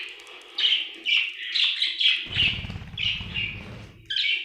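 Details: Contented budgie giving quick, twittering chirps in uneven bursts, each note short and bright with little slurred twists, over a low rumble of background noise through the second half.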